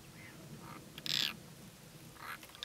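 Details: European roller during courtship: a loud, harsh, rasping burst about a third of a second long in the middle, with fainter short rasping notes before and after it, over quiet outdoor background.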